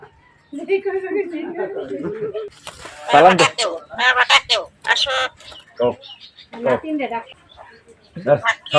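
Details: A pet common hill myna speaks Bengali in a clear, woman-like voice, with drawn-out words followed by short, choppy phrases. A person's voice may also be heard nearby.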